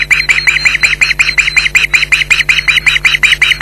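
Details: Loud alarm from Ospreys defending their Loch Garten nest against an intruder, 15 July 2011. Close, strident, evenly spaced yelps, nearly three a second, piercing and insistent throughout.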